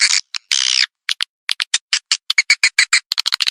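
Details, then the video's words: Lure sound for swiftlet farming: high, rasping swiftlet chirps. Two longer buzzy notes open it, then a quickening series of short clipped twitters accelerates toward the end. "Suara Luar Burung Walet"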